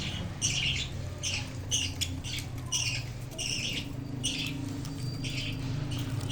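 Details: Young budgie just out of the nest box, interacting with its parents: rhythmic rasping squawks, about two per second, with a few brief pauses, above a faint low background drone.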